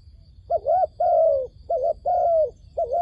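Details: Decoy dove luring wild doves toward a trap, giving a few low, rounded coos in quick succession, a short wavering note and a longer one that sags slightly at the end.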